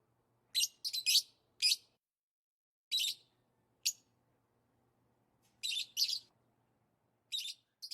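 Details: Lovebirds making excited chirping sounds: harsh, buzzy high chirps in short pairs and clusters with gaps of silence between them.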